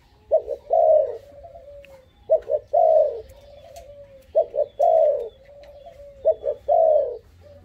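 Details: Young dove, five months old, described as bold, giving four cooing phrases about two seconds apart: a couple of short low notes, then a longer falling coo with a drawn-out trailing tone. Quiet background.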